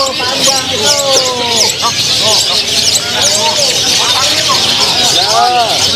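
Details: Long-tailed shrike at a songbird contest in Cikarang, Bekasi, 1 December 2019, winning first place, pouring out rapid-fire song: harsh scratchy chatter mixed with slurred, arching whistles, with other birds calling and people talking nearby.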